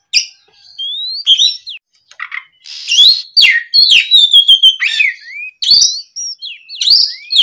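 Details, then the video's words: Oriental magpie-robin singing in the afternoon as a lure: soft rising whistles building into loud, fast mixed phrases of slurred whistles, clicks and harsh notes. "SUARA PIKAT BURUNG KACER GACOR NGEPLONG SORE, MEMANCING KACER BAHAN AGAR LEKAS BUNYI NYAUT & GACOR!"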